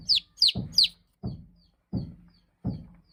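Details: Baby chicks chirping: three loud, high, downward-slurred peeps in quick succession, then softer thin peeps spaced under a second apart over low soft thumps.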